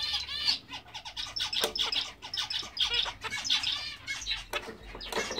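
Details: A large English zebra finch pair, a grey male and a fawn female, giving a quick run of nasal, toy-trumpet beeps and buzzy chatter.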